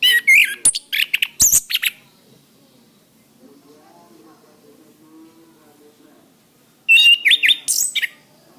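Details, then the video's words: Orange-headed thrush song for training cage birds. A busy stretch of scratchy, high whistles and chips is followed by a quiet pause, then another quick burst of bright whistled notes. "Suara Bunyi Masteran Anis Kembang"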